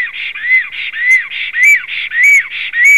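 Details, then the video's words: Black stork pair, male and female, whistling on an April 2016 evening; loud repeating sequence of breathy, rasping bursts, each with an arched whistled note, coming about twice per second in a steady rhythm. "melnais starkis Male and Female whistles"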